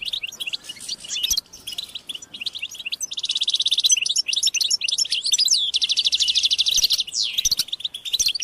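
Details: European goldfinches chattering and singing as a group, described as mating calls that make males sing; lively twitters interrupted by two long, even buzzy trills, each lasting over a second.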